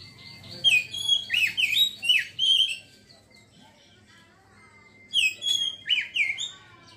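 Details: Oriental magpie-robin in ngeriwik song: two bursts of rapid, looping whistled notes, five or six swooping syllables each, separated by about two seconds of quiet broken by a faint level whistle.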